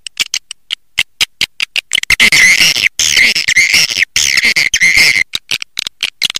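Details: Swiftlets called in with their own voice: a run of sharp clicks gives way to a continuous stretch of buzzy, warbling chatter with thin whistled notes, broken by brief pauses.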